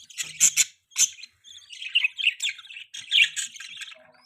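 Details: Baby pet budgie chirping: short bright squeaky chirps in quick bursts, then a run of warbling twittered notes with brief pauses between.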